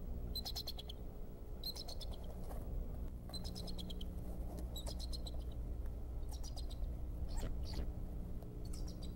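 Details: Alerting male bald eagle at Decorah on 26 February 2014, during pursuit of an intruder: repeated bursts of high, shrill, chattering piping notes, about six clusters of rapid squeaky chips, with steady low hum throughout.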